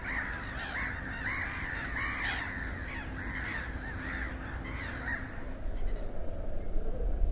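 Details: Calling little gull at Espoo, Finland, late April 2019: a lively series of short, sharp, nasal notes repeated about three times a second, fading out, with wind rumbling beneath and rising at the end.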